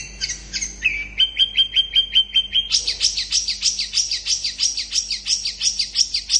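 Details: A long-tailed shrike sings fast and dense, in song meant to provoke other shrikes into answering: a few sharp chirps, a rapid even run of high notes, then quick buzzy downslurred notes about four each second.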